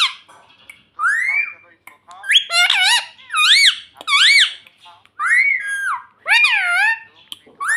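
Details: Pet parrot indoors imitating speech, repeating "mummy": a run of clear, high, harmonic syllables that swoop up and down in pitch, about eight bursts in quick succession separated by short pauses.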